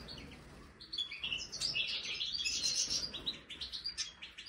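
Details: European goldfinch of the Major form in an aviary, offered a marigold snack, sings a fast, tinkling twitter of high, liquid notes and short trills, some notes rising, delivered in dense bursts with little background noise.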